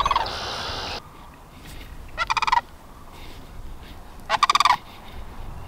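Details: In early April, during spring breeding season, a male Wild Turkey gives two loud, rapid, rattling gobbles about two seconds apart after an opening second of rushing noise. Strutting males in this flock were sometimes rebuffed by the females.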